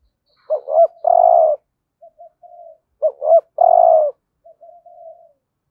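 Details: Spotted dove lure bird in 'hạp bổi' voice, calling to provoke wild doves; two full phrases of doubled rising notes then a drawn-out throaty coo, each trailed by soft quiet notes, in a quiet setting.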